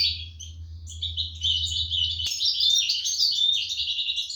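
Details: European goldfinch young fed by parents inside a breeding cage, 2023: a rising, intensifying stream of thin high-pitched chirps and trills, a sharp click midway, faint low hum.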